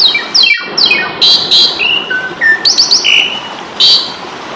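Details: Asian pied starling, or jalak suren, singing a fighting song for Indonesian cage-bird training: opening steeply descending harmonic sweeps, then flat whistled notes at varied pitches mixed with harsh broadband bursts, over constant hiss.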